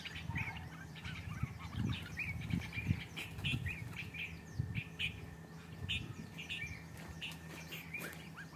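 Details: Fighting bulbuls give sharp, chattering chirps in quick bursts every half second or so, over heavy low thumps and fluttering of wings.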